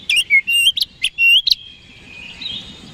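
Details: Oriental magpie-robin song for provoking rival birds: a run of loud, sweet whistled notes sliding upward, alternating with sharp chirps, fading into a softer warbled tail.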